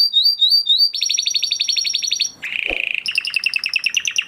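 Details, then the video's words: Huppe Spanish Timbrado canary, a caged bird bred in 2020, delivering training song: looping slurred notes, a fast buzzy rattle, a brief low-pitched metallic trill, then rapid bright chopped phrases. "Do you have a Canary with a weak singing voice? Canary Singing Video"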